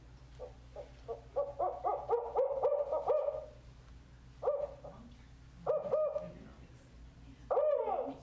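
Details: Northern Spotted Owl male in Marin, Point Reyes area, giving a series call: deep, barking hoots in uneven bursts, some with a rising, whistled upswing, repeated over eight seconds.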